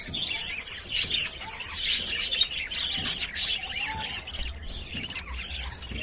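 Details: Budgerigars kept in a cage producing harsh squawks mixed with rapid twittering chirps and warbles, a dense, overlapping chatter lasting the whole stretch.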